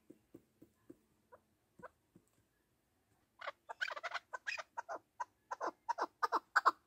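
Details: Partridge voice used to lure birds for hunting: a few faint, spaced clicks give way to a dense run of hoarse, rapid chuck notes that grow louder toward the end.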